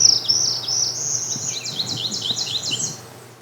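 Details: A Northern Parula gives one of its songs, thin, buzzy and very high: a hissing buzz, then a quick series of notes climbing the scale and dipping slightly with a last little squeak at the end.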